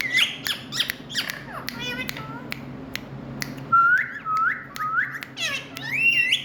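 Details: Indian ringneck parakeet making loud noise: whistled notes rising and falling, short harmonic chirps, then clear upslurred whistles repeated several times near the end, over a steady low indoor hum.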